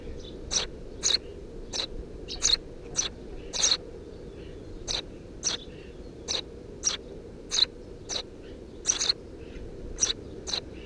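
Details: Three tree sparrow nestlings in a roof nest, 2 June 2017, chirp busily: around twenty short, high, scratchy notes over eleven seconds, uneven rhythm, some notes overlapping, with quiet low rumble beneath.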